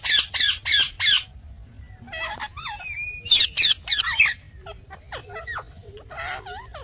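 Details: Talking parrot kept as a pet: four rapid harsh squawks, then varied gliding whistles and chattering syllables, another burst of raspy squawks, and softer curving notes to close.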